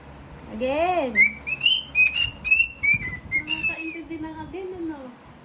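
A cockatiel whistles a run of clear, high, slightly wavering notes, nearly one every half second.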